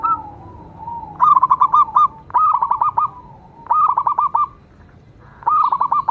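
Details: Perkutut lokal, the zebra dove, heard in a lure recording meant to make other doves sing. Four short phrases each open with a soft coo, then give a fast stutter of clipped notes, separated by pauses of about a second.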